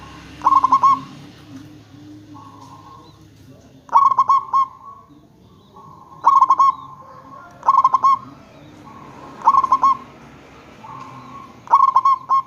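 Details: Local zebra dove in full song, played as a lure so other zebra doves call back: six quick, bubbling coo phrases at fairly regular intervals of about two seconds, with soft steady tones underneath.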